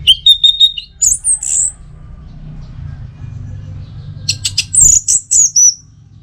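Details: Orange-headed thrush sings a quick series of steady whistled notes, then high sweeping slurs. After a quiet stretch it gives a chattering, rattled phrase that ends in shrill whistles.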